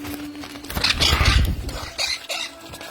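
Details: Baby monk parakeets wanting food give harsh, raspy begging rasps in two bursts, over soft background music and low handling noise.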